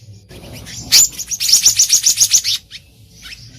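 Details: Black-naped monarch recorded in the wild for luring: one harsh note, then a rapid even run of about eight high, sharp chips at roughly four per second, fading into faint calls.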